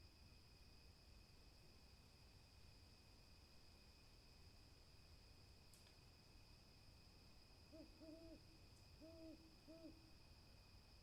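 An owl gives a few low, mellow hoots in two quick pairs near the end, over a steady high-pitched whine and a soft background hiss.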